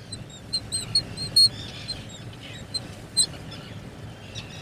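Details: Black guillemot at its nest burrow, a seabird ashore to breed: thin, high whistled notes come in short bursts, several quick squeaks clustered in the first second and a half, then scattered single pips, over a low steady rumble.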